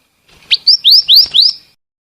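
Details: Female scarlet minivet: one sharp chirp followed by four bright, rising whistled notes in quick succession, high and clear.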